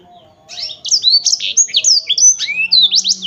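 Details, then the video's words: Black-throated canary singing a fast, twittering song of sharp rising and falling whistled notes, dense and high-pitched, with brief buzzy slurs and little pause between phrases; faint low hum underneath. "kicau merdu siBLACKTHROAT"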